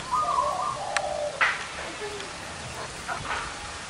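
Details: A zebra dove among a gathered group of big- and small-voiced birds gives one quick, stuttering coo phrase at the start, followed by quiet rustles, a click and faint background noise.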